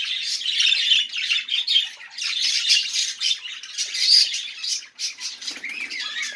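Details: Budgerigar song of chattering, rasping high notes, loudest around four seconds. It pauses briefly near five seconds before a few softer, lower scratchy sounds follow.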